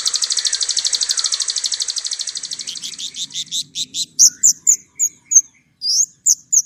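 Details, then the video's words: White-rumped shama in full, clear-voiced shooting song: a long, very rapid high buzzy trill that slows into separate sharp whistled notes and chirps. "gacor nembak!!! suara jernih"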